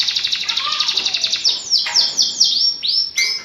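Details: Vigorous canary song used as training and lure material for birds that have stopped singing: rapid rolling trills of high, bright notes, then a series of sharply falling whistled sweeps repeated about twice a second.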